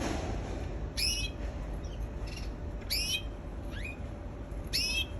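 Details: Canary; sharp, bright chirps with fast downward-sweeping overtones, about four spaced over five seconds, set against a steady low rumble and faint hiss in the background.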